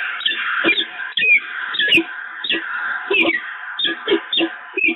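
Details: Nest-site bonding between peregrine falcons at Evoluon, 7 March 2022: raucous, grinding calls with abrupt higher chips, repeated in a fast, irregular rhythm.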